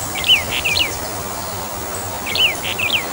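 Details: Pairs of short, clear descending whistles from a Brown bullfinch (subspecies uchidae), one phrase at the start and one near the end, over an even hiss of ambient noise.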